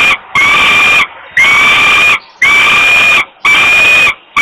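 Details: Falcon chick, female, begging from hunger at a Włocławek, Poland nest on 27 May 2022, evening, while the father arrives with food; four strident, slightly rising screams roughly once a second, separated by brief pauses.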